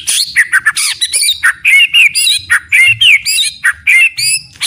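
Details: Rich, fast white-rumped shama song from a training recording, with dense warbled phrases mixing slurred whistles, harsh notes and quick chirps almost without pause.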